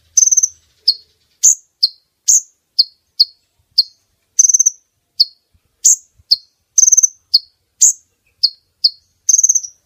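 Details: Lure recording of a female brown-throated sunbird meant to bring males close for netting: a brisk, steady run of piercing high chips, broken up every few seconds by short rapid trills, against a clean quiet background.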